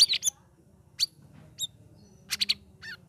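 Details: Chirpy twittering from a caged sooty-headed bulbul after three weeks of group training. Short sharp chips are spaced across the clip, with a quick double note and a final wavering, descending trill over a low background hum.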